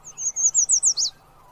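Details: Clear, close yellow warbler song of six evenly spaced, high, sweet slurred notes followed by a sharper closing flourish. The whole phrase lasts just over a second against a clean, quiet background.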